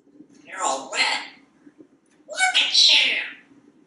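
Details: Male African Grey Parrot kept as a pet in Texas, perched on a kitchen faucet and talking; two speech-like phrases, the second louder and hissy, over steady low room hum.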